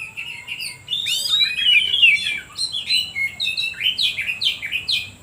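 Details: Kacer, the oriental magpie-robin, singing a lure song meant to rouse other birds into singing. After a short quiet start come rich tumbling whistles, then a string of quick, bright, descending chirps about four per second.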